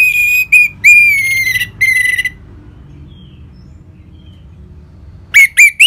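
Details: Loud, pure whistles of an orange-headed thrush in ngeplong style, used to coax caged birds into song: three long descending notes, a pause of silence, then three short rising whistles.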